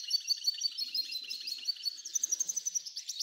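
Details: F1 hybrid goldfinch singing at length: a rapid, high, twittering run of short chirps and bright whistled notes repeated about three per second, ending in a quicker sequence of sharp clipped notes; no other sounds.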